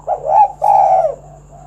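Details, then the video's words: A single husky phrase from a spotted dove, sung as a lure for other doves: a short rising note followed by a longer, louder throaty coo that drops at the end, then a faint trailing note. "Tekukur Kuk 1 Gacor Suara Panggilan Burung Derkuku agar Bunyi Gacor Manggung"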